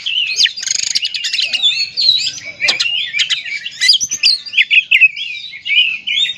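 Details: Song of an oriental magpie-robin used to stir other magpie-robins into singing: fast, varied whistles and trills, a dense buzzy chattering passage early on, then clearer looping whistled phrases.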